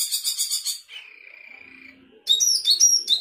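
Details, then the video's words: Sooty-headed bulbul in full song with isian fill-ins: a burst of rapid, high buzzy chirps, then a long level whistled tone with a lower hum beneath, followed by sharp, varied high chirps and slurred notes. "Cucak keling gacor isian"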